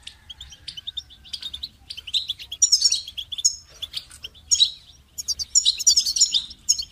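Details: Goldfinch song: a lively stream of high twitters building into dense, buzzy-edged bursts of tinkling notes, with brief pauses between phrases.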